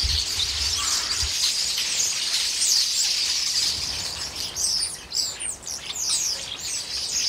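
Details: Common starlings raiding a pear tree in a large flock, squabbling noisily as they peck the fruit: a thick wall of shrill overlapping squeals and chirps, with sharper whistled notes standing out and brief lulls near the end.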